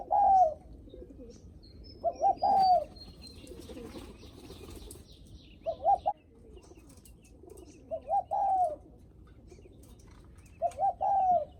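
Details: Spotted dove giving the welcoming coo for visitors, five short stuttered coo phrases spaced about two to three seconds apart, with fainter low murmuring coos underneath.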